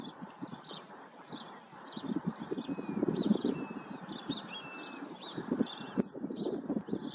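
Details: A male common linnet at Cornenberg, Wuppertal, Germany, 7 August 2021, twitters in quick, dry chirps and brief thin whistles, half-buried under steady low rumbling noise and thumps.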